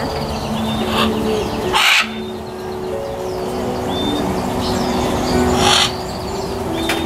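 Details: Macaw calls: two brief, grating squawks roughly four seconds apart, harsh and noisy, set against constant background chatter with thin whistled notes and low hum.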